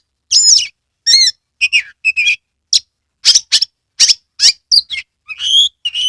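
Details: An Oriental magpie-robin from Kebumen, Central Java, in steady song as a lure for others of its kind: loud varied whistled phrases, sharp chips and warbled notes follow each other closely, ending in rising whistles.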